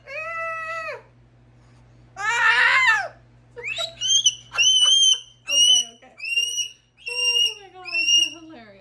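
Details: Pet female cockatoo parrot indoors, talking about her day: a clear harmonic whistle-like note, a harsh raspy burst, then a run of short rising-falling speech-like syllables with stacked harmonics, a steady low hum beneath.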